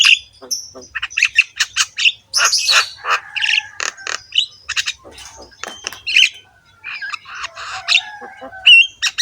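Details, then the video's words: Javan myna (jalak kebo) in full, lively song with a harsh voice, the bird bobbing its head, used as a master track to coax other mynas into singing: a rapid run of harsh squawks, clicks and short whistles. "BURUNG JALAK KEBO GACOR SUARA KASAR, MANGGUT-MANGGUT FULL ISIAN MEWAH"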